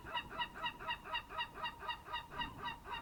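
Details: Early-morning birds at 07:40 on 27 March 2026, fishing harbour on Greece's Ionian coast near Amvrakikos National Park. Evenly spaced, strongly harmonic honks repeat about four times a second throughout.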